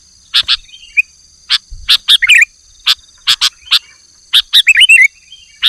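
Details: Energetic sooty-headed bulbul song mixing paired sharp chips repeated about every second with brief curling whistled phrases, ending in a longer run of rolling, looping notes. A steady thin high tone persists behind the bird.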